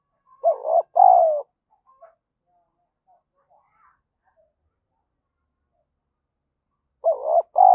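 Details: Spotted dove used as a caller, giving urging coos ('gáy thúc') to excite wild doves: a quick hollow double coo, several seconds of near silence with tiny rustles, then the phrase starts again.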